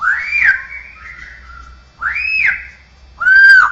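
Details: Straw-headed bulbul, cucakrowo, in mimicry of other birds, cats and humans: a long drawn whistle fading out, an arched slur, then a loud steady whistled note.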